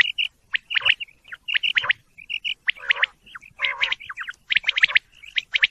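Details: Several quail give high, clipped chirps and short whistled notes in rapid bursts. A brief rasping, lower call sounds partway through, and the chorus stays dense and uneven.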